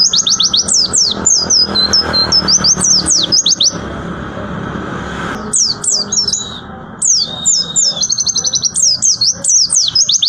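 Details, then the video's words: Long rapid 'tembakan' performance by a white-eye: bursts of fast, high, descending whistled notes and short level trills, a brief pause filled by rustling noise, then more quick-fire piercing phrases. "Tembakan Pleci Bintang"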